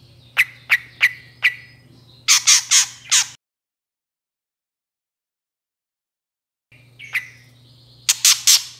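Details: Long-tailed shrike in full voice, played as a lure to make other shrikes answer: four short sharp chips, then three or four rasping, scratchy bursts, a long silence, then more chips and harsh rasps over a faint steady low hum.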